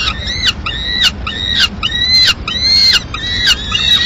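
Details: Peregrine falcon in Madrid at mid-morning, female arriving at the nest with the remains of a pigeon; harsh, harmonic wailing calls with slightly falling tails, repeated in bursts roughly every half second, low rumble of background noise.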